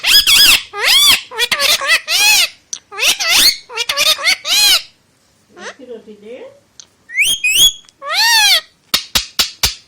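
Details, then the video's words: A talking Indian ringneck (rose-ringed) parakeet speaks Hindi in high, harsh, speech-like phrases with rising and falling whistled syllables, then ends in a quick run of sharp clicks. "PARROT TALKING IN HINDI, PARROT WHISTLING, INDIAN RINGNECK PARROT TALKING IN HINDI, PARROT SPEAKING"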